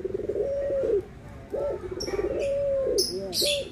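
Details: Low anggungan coos from a Barbary dove, white and brown birds compared: a held falling coo, a short separate note, then another long coo, while high chirping birds call in the background.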